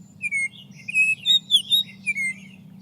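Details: Baltimore oriole song played back during a birding-by-ear talk: clear whistled notes in pairs with a little gap between them as the phrase steps downward, the pairs said to repeat two to seven times.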